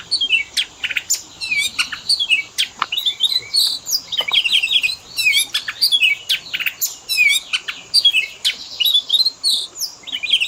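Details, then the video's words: Pet-bird training lure of Oriental magpie-robin (kacer) fill-in song: ten seconds of nonstop, varied chattering with rapid chirps, slurred whistles and quick trills, phrases changing every second or so. "Pancingan burung Kacer; full isian istimewa"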